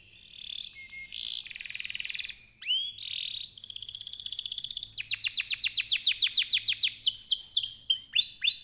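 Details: Caged canary singing a lively lure song meant to provoke other birds into singing: varied phrases of buzzy rolls and sweet notes, then a fast run of rapid repeated chirps about four per second, ending in whistled upslurs.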